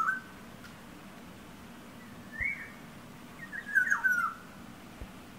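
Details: Oriole singing by a window it repeatedly knocks on; a brief whistle, a sharp tap, then a longer mellow warbled phrase of slurred whistled notes, with another faint tap near the end, indoors.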